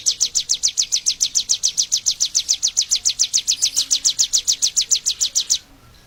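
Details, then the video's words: Bar-winged prinia, endemic to Indonesia, chirping rapidly in a regular series of high falling notes for over five seconds, then stopping abruptly into quiet. "The chirping sound of the prinia familiaris bird endemic to Indonesia"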